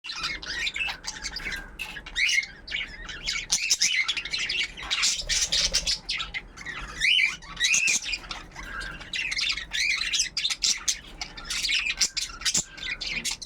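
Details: A flock of budgerigars kept for breeding in Darbhanga, Bihar, India, chatters nonstop in high, scratchy warbles and sharp chirps.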